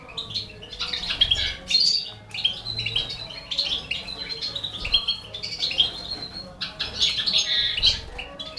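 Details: Balkan goldfinch with four baby canaries being fed: continuous soft high twitters and squawky chirps, irregular and overlapping throughout.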